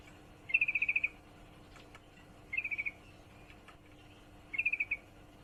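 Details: A female yellow-vented bulbul in heat calls to a male with three evenly spaced rapid trills of six to eight crisp, bright chips, about two seconds apart, over soft steady hiss.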